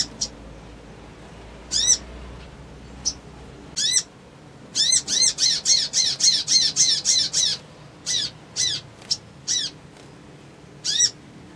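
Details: Crimson sunbird in an agitated state, used as lure audio to provoke a quick response, gives sharp, high, metallic notes, first spaced singly, then a fast run of about a dozen chips before scattered single notes.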